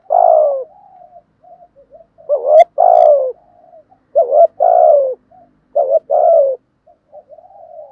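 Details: Spotted dove lure bird cooing loudly and clearly in thúc gù style for training other doves; a strong rolling coo opens, then four further loud coo bursts alternate with soft trailing murmurs.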